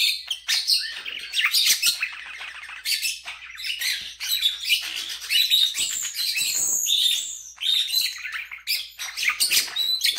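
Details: Common starling kept as a pet, perched on a bed and singing to wake someone from a nap: long varied medley of clicks, wheezy buzzes, rattling runs and thin whistles, broken by brief gaps.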